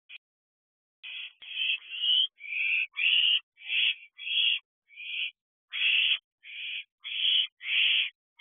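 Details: Owlets in an owl box at a house, just after midnight on 1 July 2023: loud, raspy hissing screeches in bursts of about half a second, repeated irregularly after a brief silence.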